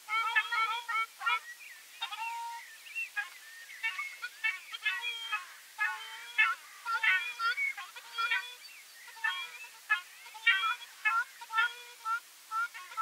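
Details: Ruddy shelduck: a dense, nearly continuous run of nasal, honking calls with rich harmonics, several overlapping and rising or falling slightly, in short bursts across the whole stretch with hardly a pause; no other clear sounds.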